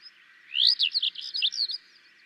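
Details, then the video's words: Song of a Tawny or Sykes's lark from Gujarat, India: one brief, bright burst of rising and falling high whistled notes, tumbling together for just over a second before stopping. "Tawny Lark and its Song"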